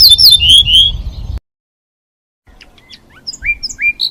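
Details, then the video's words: European goldfinch kept as a cage bird, giving a fast high twittering phrase over low rumbling background, then a pause, then scattered thin chirps and short rising whistled notes. "طائر_الحسون.بتبتة خرافية وأصوات تجنن طيورك."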